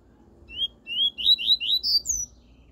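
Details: A pure tui-tui song of the double-collared seedeater, played for training a young bird. Clear whistled notes, each rising, come in a quick series of about seven, climbing higher toward the end, over faint low background hum.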